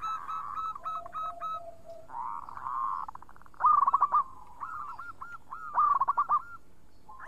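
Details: Lure song of a local zebra dove, lively and clear-voiced. Staccato repeated notes alternate with softer low coos and rolling trills, and louder bursts of quick chattering coos come around the fourth and sixth seconds.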